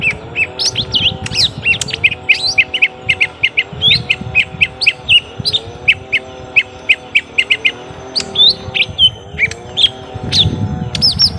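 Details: Long fight between young lesser green leafbirds, heard as a dense stream of quick chirps and flicked notes over a cycling low drone and bursts of low rumble.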